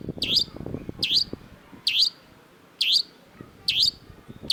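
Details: Long-tailed shrike (cendet) uttering loud, sharp downward-swept notes about once a second, each bright and high, with low rumbling handling noise and faint talk early on.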